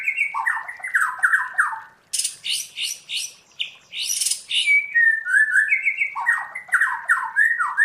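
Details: White-rumped shama in forest-style song (giọng rừng): low slurred whistles, then bursts of high, harsh chattering notes, then more sweeping whistled phrases rising and falling in a varied stream.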